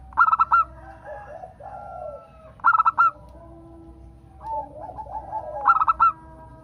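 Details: Local zebra dove singing as a lure to set off other doves: three phrases of rapid, staccato ringing coos, each about half a second long, separated by gentler, wavering background bird notes.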